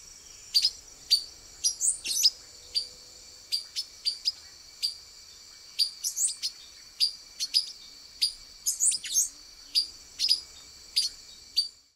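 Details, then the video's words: Male silver-beaked tanager (Ramphocelus carbo), camouflaged among branches, giving sharp, high, metallic chip notes once or twice a second, some doubled, over a faint steady insect hum. "SILVER-BEAKED TANAGER male (RAMPHOCELUS CARBO), PIPIRA-VERMELHA"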